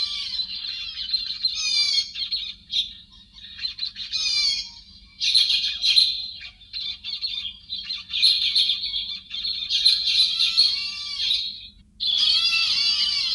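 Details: Héc xoan bird calls, edited and cleaned of background noise, used to lure flocks: harsh, raspy chattering squawks with layered overtones, in bursts of one to three seconds separated by short gaps.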